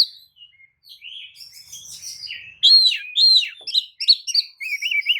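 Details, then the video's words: Oriental magpie-robin, tail spread, giving a lure song to stir other magpie-robins to answer; a soft, scratchy start swelling into loud, varied whistled phrases with rapid slurred notes. "kacer manapun jelas nyaut oleh kicau pancingan kacer buka ekor! kacer dijamin emosi"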